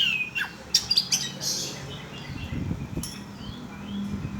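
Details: Oriental magpie-robin lure recording meant to provoke birds: a few sharp whistled slurs and harsh scratchy notes early, then quieter thin whistles with a low background rumble.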